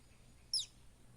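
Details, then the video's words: Buff-banded rail chick in the Philippines giving a single brief, very high, thin descending peep over a faint low hum. "Baby buff-banded rail sounds"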